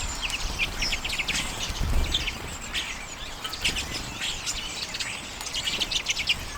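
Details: Common redpolls feeding on sunflower seeds in late January 2022, recorded on a Canon EOS M50; a flock gives dense, rapid twittering chatter of short buzzy notes over steady low rumble.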